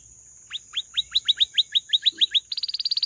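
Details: Canary giving a string of sharp rising chirps about five per second, then breaking into a faster high trill, over a steady high-pitched background tone.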